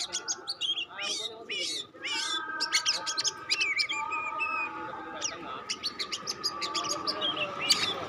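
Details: Oriental magpie-robin of the pastol type used to test other magpie-robins, singing a dense, varied run of sharp chirps, rising whistles and trills, with steady tonal humming lines underneath.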